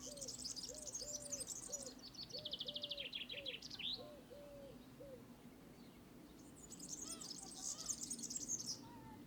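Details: Serin, a small singing bird, twittering in high, fast, jingling bursts at the start and again near the end. Between them, lower arched cooing notes repeat steadily, and soft background noise runs throughout.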